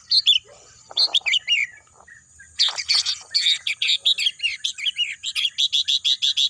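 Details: Birds singing amid green natural scenery: dense bursts of high, bright chirps and twittering trills, ending in a rapid run of evenly spaced sharp notes, with several birds overlapping.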